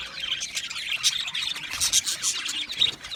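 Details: High, squeaky chirping from aviary budgerigars, with quick twittering notes and short bursts of sharper calls over a constant chatter.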